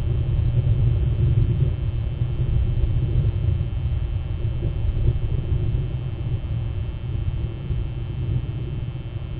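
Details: Heavy low rumble like a passing vehicle fills the recording, and no calls are heard.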